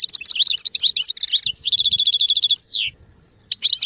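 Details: Goldfinch song used in training: busy twittered phrases, a buzzy note, a rapid even trill and a long downward sweep, followed by a pause and a final short chirp.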